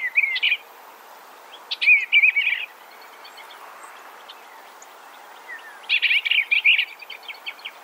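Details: Three short, gentle warbled phrases from an Eastern Bluebird, each a cluster of slurred notes with quick falling inflections, separated by several seconds of quiet.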